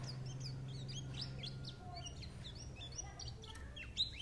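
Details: A white-eye's lively chatter: rapid bursts of high, bright chirps and short downslurred notes, with a low droning hum in the background.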